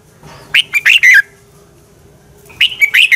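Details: Fighting song of a red-whiskered bulbul, used to stimulate birds in training: two rapid, lively phrases of sharp whistled notes rising then falling, split by a soft low hum and a short quiet gap.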